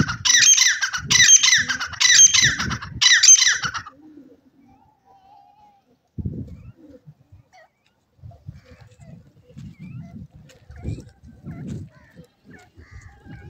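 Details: Grey francolin kept alongside a pigeon, giving four loud, harsh, rapidly repeated calls in the opening seconds. Quieter low rustling and faint murmuring voices follow.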